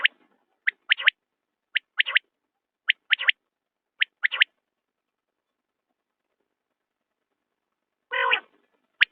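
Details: Common quail calling steadily: sharp three-part phrases, one short note then a quick pair, repeated roughly every second, followed by a pause and one raspy harmonic burst.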